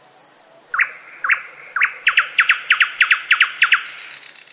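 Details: Thrush nightingale singing: after a brief high thin whistle, a series of dry, clicking chock notes, first spaced about half a second apart, then quickening into a rapid run of about ten paired strokes, ending with a faint buzzy hiss.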